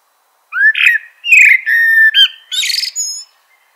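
A Eurasian blackbird sings one mellow, fluting phrase of slurred whistles that ends in a higher, scratchy twitter, all within about three seconds, with no other sounds.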